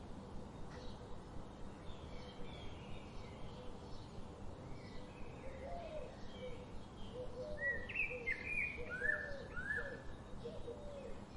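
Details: Birds chirping outdoors: soft short whistled notes scattered at first, growing into a livelier series of rising and falling chirps in the second half, over a steady low background rumble.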